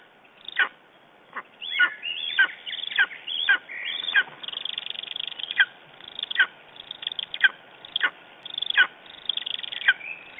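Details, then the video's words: Morning calls of a lesser spotted eagle in Estonia, 9 June 2011: a long sequence of high, ringing, down-slurred yelps given at an uneven rhythm, with some quicker chattering runs between them. "Lesser Spotted Eagle Estonia - Talking in the morninig"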